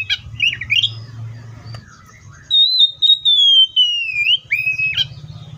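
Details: Oriental magpie-robin in song, likely caged: a few rapid scratchy notes, then a long pure whistle that glides slowly downward and ends in a lower sliding note, with a faint low hum underneath.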